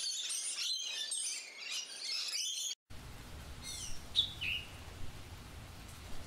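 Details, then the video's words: Rainbow lorikeets in a garden and neighbourhood on the Central Coast, New South Wales, Australia: dense, harsh, screechy chattering for nearly three seconds, then after a brief break a few scattered high chirps over a low background rumble. "Rainbow Lorikeets In our Garden"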